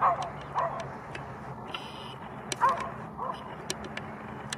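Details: Greylag goose (Anser anser) family at the Blies lido, Ludwigshafen am Rhein, gives short, nasal honks in two loose pairs a few seconds apart, over a steady background murmur with faint clicks.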